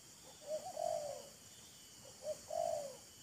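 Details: Spotted dove, a wild bird and a decoy exchanging calls and luring each other. Two soft, faint cooing phrases, a short note and a longer mellow coo, over steady background hiss.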